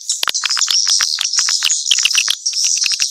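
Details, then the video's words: Mixed swiftlet calls: a dense stream of high, thin chirps and quick clicks overlapping into a continuous shimmering twitter, with short sharper notes scattered throughout. "Sp burung walet campuran"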